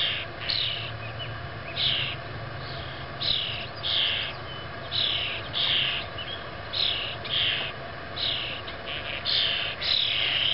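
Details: 6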